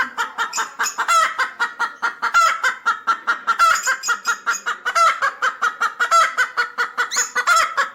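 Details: Pet hen, six months old, with chicks shown growing: steady, rapid throaty clucking, roughly four short pulses a second, with occasional louder, drawn-out rasping notes mixed in.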